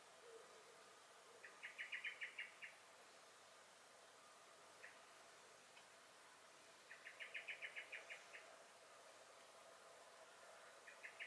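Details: Garden blackbird (Turdus merula) in alarm, May 2021: a burst of quick, sharp repeated notes, a long pause with a single faint note, then a second rattling burst and the start of a third.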